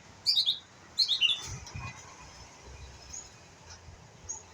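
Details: Juvenile white-rumped shama learning its song. It gives two loud, quick descending chirp phrases about a second apart, then faint scattered whistles over a low hum.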